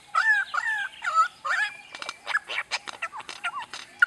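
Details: A superb lyrebird in Australia, a mimic of dozens of other birds, pours out a varied medley: four loud, looping warbled phrases, then a rapid run of sharp clicks, snaps and short whistles. Males sing this while displaying their fanned tails.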